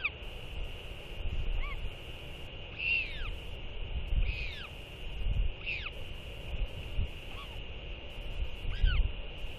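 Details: A pair of northern royal albatrosses skycall to one another in the morning after feeding their chick. Five separate arched, harmonic, falling calls are spaced a second or two apart over steady wind rumble and a constant high hiss.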